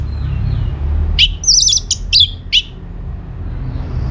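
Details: Orange-headed thrush in lively song, meant to provoke replies from other birds. One short burst of sharp, high, twittering and trilled notes lasting about a second and a half, set against a constant low rumble.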